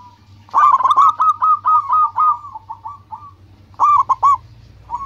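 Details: Energetic local zebra dove song meant to attract rivals and call companions: a quick burst of staccato coos that slows into a drawn-out trill, then a short second phrase of three clipped notes, with a low background hum.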